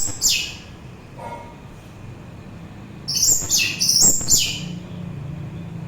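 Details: Orange-headed thrush singing, a sound used as therapy and to lure birds: one high downslurred note, a pause, then a fast cluster of sharp, descending whistles over a low hum.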